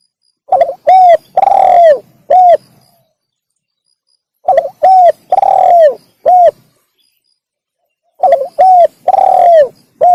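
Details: Spotted dove (tekukur) call used as a lure for wild doves: three repeated phrases about four seconds apart, each with short stuttered notes, a smooth coo, a long rasping coo and a closing coo.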